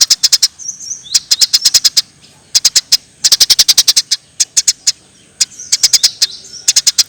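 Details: Lively tree sparrow chirps for masteran use: clusters of crisp, high, evenly repeated notes with short silences between them, plus brief soft whistled slurs in the gaps.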